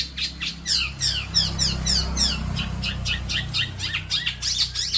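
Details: Young Long-tailed Shrike being raised for frequent singing. A dense string of quick, descending, slurred chatter notes runs at about three per second over a noticeable low rumbling hum.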